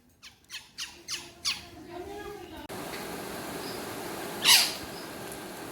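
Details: Pet Alexandrine parakeet, a talking parrot kept indoors, giving five harsh, descending squawks in quick succession, then a pause and one sharp, high squawk; small-room echo and steady background hiss.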